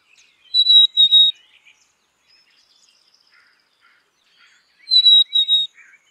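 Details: Black-capped chickadee whistling a pure two-note phrase, the second note a touch lower and broken in the middle, repeated after about four seconds, with faint chips and a thin buzzy trill between.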